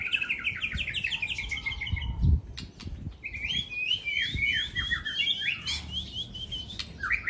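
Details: Aceh white-rumped shama in a singing contest against another shama: rapid series of clear, slurred whistled notes descending in short repeated phrases, then a pause with a low thump and a second bright, warbling, varied burst of song over low background rumble.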